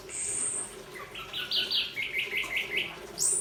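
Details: Orange-headed thrush from Malang: a quick run of bright, high chirped notes, about five short clipped syllables in a row, opened by a thin high whistle, over a faint steady low hum.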